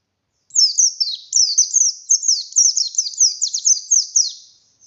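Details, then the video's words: Buxtoni oriental white-eye in full song, a bird meant to prompt other white-eyes to sing: a dense high-pitched stream of quick downslurred chirps and twitters lasting about four seconds. "Burung pleci Buxtoni Gacor Buka Paruh Nembak Bongkar isian"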